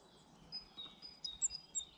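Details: In a British garden, small birds give brief high thin whistled notes, repeated irregularly at different pitches, over a faint low rumble.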